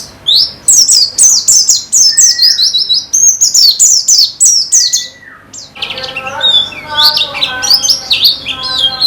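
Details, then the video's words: White-eye song for conditioning caged birds: fast high down-slurred whistles in dense bursts with a few lower drawn whistles, followed by busier twittering over steady lower tonal sounds. "Terapi Pleci Cepat Ngalas dan Semakin Gacor"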